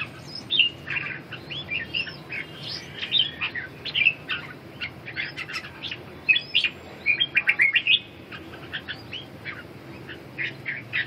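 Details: Red-whiskered bulbul singing in a busy stream of short, clear, warbled notes and chirps, partly overlapping, with a burst of rapid sharp notes near the end and a constant low hum underneath.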